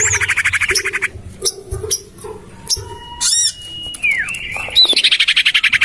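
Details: Bird lure of common iora, tested in a garden beside a house: rapid buzzy chatter, a long steady whistle ending in a falling curl, an upward flick, then more fast rhythmic chattering.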